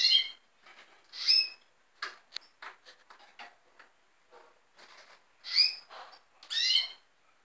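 Red siskin giving four nasal, ringing call notes in two pairs, with soft clicks and rustles in between.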